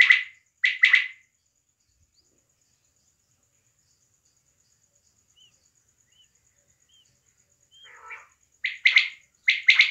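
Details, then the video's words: Female quail calling in Pakistan, recorded during small-scale quail hunting: short bright notes in quick groups of two or three, then a long silent gap, then more grouped notes, with faint lower chattering between. "batair ki awaz || quail sound"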